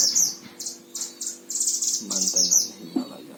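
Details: Caged oriental white-eye from Sragen, Indonesia, singing. Repeated high buzzy chirps come in quick bursts, with low murmuring sounds toward the end.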